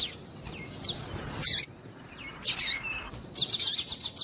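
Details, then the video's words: Calling female Double-collared Seedeater, used to make a male sing; scattered high chirps and soft downslurred whistles, ending in a quick rhythmic run of about seven sharp notes. "Fêmea de Papa capim piadeira para Esquentar Papa capim"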